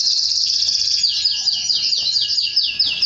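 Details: Canary song linked to mating with its female: a fast chain of high, repeated downward-sweeping whistled notes, about four per second, over a steady trilling background.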